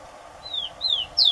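Rufous-collared sparrow singing three clear, high whistled notes, each sliding downward and louder than the last, over a faint steady background hum.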